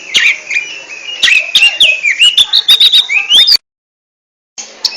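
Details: Oriental magpie-robin (kacer) singing in the ngentrok style as a contest song bird: a run of varied whistled, slurred notes mixed with sharp clicks, rising and falling quickly, then stopping abruptly into silence before a brief restart.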